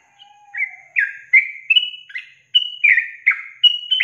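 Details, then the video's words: Yellow-vented bulbul, recorded for training songbirds, delivering a long trilling song of rapid, liquid chirps that step up and down in pitch, with a faint low whistled tone at the start. "Masteran Trucukan Ropel Panjang Garuda Tembakan"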